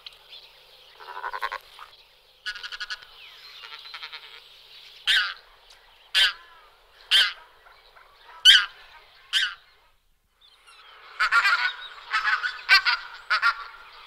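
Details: Pink-footed goose calls: nasal honks at the start, then a row of sharp, clipped 'wink' notes spaced about a second apart, ending in a busy burst of overlapping calls from several birds.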